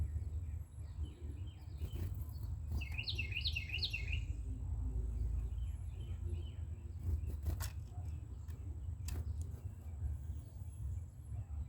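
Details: A Carolina wren nesting on an outdoor shelf gives one short burst of three quick repeated whistled phrases, with faint chips, scattered clicks and steady low rumbling noise around it.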